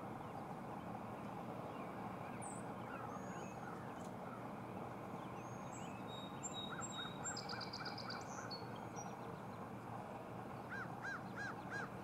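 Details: Northern mockingbird singing at Furman University, Greenville, South Carolina, USA, on 5 February 2017: varied phrases of thin whistles, a fast buzzy high trill and series of repeated mid-pitched notes, over a steady low rumbling background noise.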